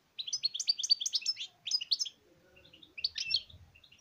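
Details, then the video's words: European goldfinch singing in bursts: quick, bright twittering phrases of sharp, high chirps, a pause with a faint low hum, then a shorter twittering burst followed by a few scattered single notes. "تغريد الحسون"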